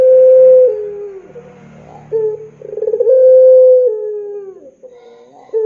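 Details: Lure call of a Spotted dove meant to set young doves singing: a steady low coo that drops off, soft murmuring notes, then a pulsing onset leading into another held coo that falls away.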